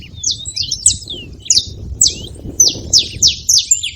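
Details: Saffron finch making noise at a feeding spot: bright, high chirps that sweep downward, in loose, uneven bursts, growing denser and more rapid toward the end, over a faint low rumble.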